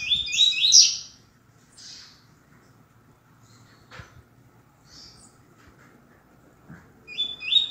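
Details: Coleiro, the Double-collared seedeater, delivering a tui tui zel zel 'canto grosso' phrase: a fast series of piercing, high, buzzy notes opening the recording, then near silence with a faint chirp and a knock, and a new phrase beginning at the end.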